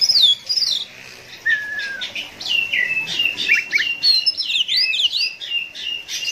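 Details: Konslet ngeplay adu mekanik song of an Oriental magpie-robin, played to rouse kept birds: a long descending whistle, then a tumbling sequence of fast looping and slurred high whistles, growing busier toward the end.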